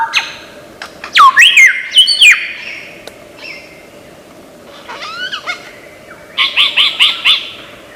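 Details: Lyrebird from Australian forest mimicking varied sounds: looping swoops and downslurs early, a short pause, then arched notes and a fast run of five repeated chirps near the end.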